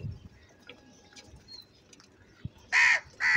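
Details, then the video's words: Loud, angry crow: after quiet background murmur, two harsh, drawn-out caws in quick succession, each strong and rasping. "Very loud voice of Crow sound - Angry kauwa ki awaz"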